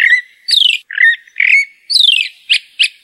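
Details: Chalk-browed mockingbird, known locally as sabiá do campo or papa cêbo, singing in the caatinga: a rapid varied series of loud whistled and buzzy phrases, some falling, some sharp clipped notes, about seven phrases in three seconds, clean background.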